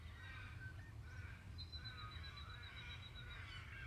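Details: White-winged choughs in Victoria, Australia, in May, give thin, plaintive whistles, with one long steady high note held for about two seconds, over a heavy low rumble of wind.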